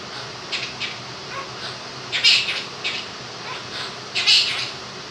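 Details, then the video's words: Pet male Quaker parrot, two years old, imitating 'If You're Happy and You Know It'. Soft scratchy syllables build into two louder raspy phrases about two seconds apart, heard over the steady whir of a fan. "the Quaker Parrot sings 'Happy And You Know It'"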